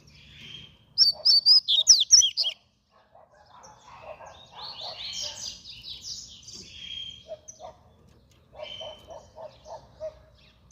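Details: Fast-style song of a double-collared seedeater: a burst of loud, high, twisting whistles, then a long buzzy stepped phrase and quieter rapid lower chips toward the end.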